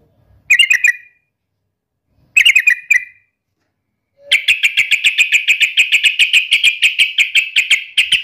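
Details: Yellow-vented bulbul in fighting, rival-challenging mood: two brief chattering phrases, then a long rapid run of repeated sharp notes, about three per second, continuing to the end.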